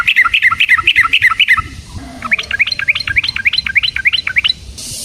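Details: A yellow-vented bulbul, known locally as trucukan, gives a fast rolling lure song used to provoke other trucukan and to train birds. Quick chattering notes run in two rapid bursts, with faint background rumble between them.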